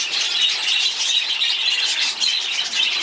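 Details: A dense, steady wash of high, scratchy chirps and squeaks from many budgerigars in a breeding cage calling at once, with no pauses across the whole stretch.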